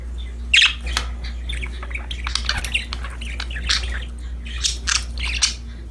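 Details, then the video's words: Playing budgies chatter with scattered scratchy chirps and squeaks over a constant low droning hum. "Happy Parakeets Chirping Sound #budgies Singing, Playing"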